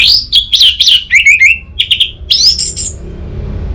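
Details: Orange-headed thrush, a caged bird from Singaraja, North Bali, used as a lure to spur a silent bird into singing: loud, fast varied phrases of clear whistles and sharp slurred notes, rising and falling, then a rising whistle near the end.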